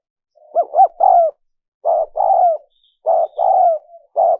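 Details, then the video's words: Spotted dove cooing used to lure wild doves: a quick wavering double note leads into a long coo, followed by further two-part falling coos at steady intervals, in quiet surroundings. "Tiếng chim cu gáy mp3 dùng kích bổi hiệu quả nhất"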